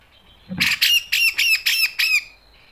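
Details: Grey-cheeked bulbul, masteran recording: six loud, scratchy, squawking notes delivered at a steady rhythm of roughly three per second, each rough and broad, with a faint whistle at the end.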